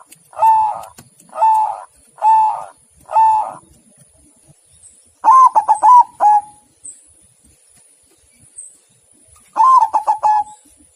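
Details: White zebra dove song: four evenly spaced, identical short coo phrases about one second apart, then two longer bursts of rapid staccato cooing notes ending in a drawn-out coo, clean with no other sounds.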